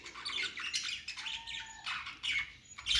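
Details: Chirping budgies singing happily: a dense run of scratchy squawks and warbles, with a thin sustained whistle underneath, broken into short bursts and ending in a louder squawk.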